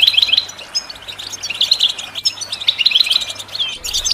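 A European goldfinch sings a fast, tinkling run of high twittering notes and liquid trills. It comes in bursts about every second, with no other sounds.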